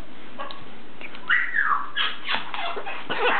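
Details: Pet blue-and-gold macaw at play: a faint note, then a loud drawn-out whistle-like call sliding down, followed by rough, hoarse squawking bursts to the end.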